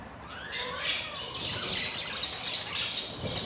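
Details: Newly hatched budgerigar chicks at four days old, hungry in the breeding nest: a continuous harsh, scratchy squawking with thin rising squeaks at the start.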